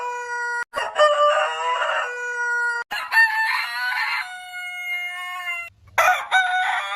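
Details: Rooster crows repeatedly, each call a coarse, loud burst followed by a long flat held note, with brief gaps between three successive crows.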